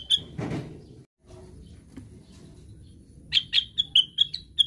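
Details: A single whistled note from a plaintive cuckoo, a pause with a soft rustle, then a quick series of about seven bright whistles gently falling in pitch, from a bird described as 'sleep-talking' (ngigau).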